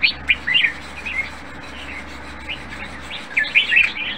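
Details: Red-whiskered bulbul kept in a cage and judged close to contest standard sings short, lively whistled phrases at the start and again near the end, with a quiet stretch between and a faint low background hum.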